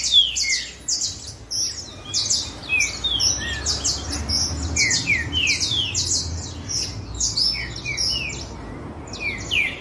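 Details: Several green-winged saltators (Saltator similis) sing in a competitive singing bout, overlapping loud, clear whistled phrases in a dense, continuous chorus over a low background hum.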